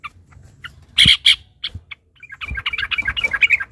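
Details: Agitated yellow-vented bulbul chatter used as a lure to make other bulbuls sing. Two loud harsh bursts come early, then a quieter pause, then a fast rising stream of bright twittering notes to the end.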